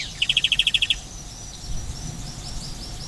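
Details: Belgian canary, a Spanish Timbrado kept at Paradisi on Rhodes, Greece, sings a quick metallic trill of about ten notes, then softer, higher twittering phrases over a low background hum.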